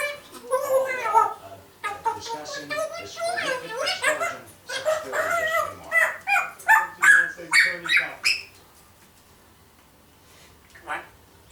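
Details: Pet African grey parrot, a one-year-old female, blabbering at home; a stream of clipped speech-like syllables builds into a rhythmic series of sharp, bark-like notes, then falls silent.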